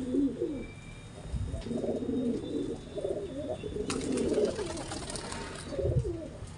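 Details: Pigeon during mating, cooing continuously in low, rolling, bubbling phrases that rise and dip, with brief thumps in the background.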